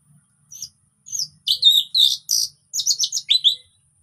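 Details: Orange-headed thrush singing in relaxed style to lure silent birds into song: soft opening notes build into loud, dense, rich chattering phrases and a series of quick slurred whistles.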